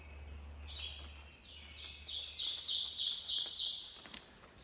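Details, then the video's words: Ovenbird singing its loud, ringing 'teacher-teacher-teacher' song, building in volume with rapid two-note phrases, around 6:40 a.m. on a cool, foggy June 27, 2024 morning after overnight rain, in forest at Jacoby Falls Trail, Loyalsock State Forest, Pennsylvania. "you can remember the song of the oven bird because it sounds like it's saying teacher teacher teacher teacher teacher"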